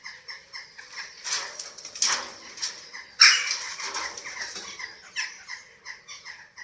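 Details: Eurasian eagle-owls at a nest webcam in Germany on 27 March 2024 during the feeding of chicks. A series of short, raspy, harmonic calls repeats roughly every half second, with several louder, harsher bursts in the middle.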